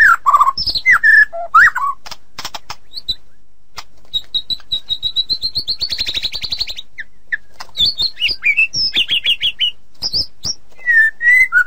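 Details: White-rumped shama song used as a tutoring recording: mixed whistles and rasps, then a long run of rapid identical notes swelling into a buzzy trill, followed by varied high whistled phrases and short slurred calls.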